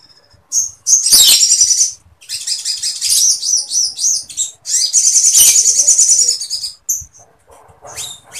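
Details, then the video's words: Sooty-headed bulbul in full continuous song, loaded with imitated Sampit woodpecker material and kept as a tutor for other cage birds; high, dense buzzy trills in long bursts, with sharp chips between and short silent gaps. "SOGON GACOR NGLEPER FULL MATERI PELATUK SAMPIT"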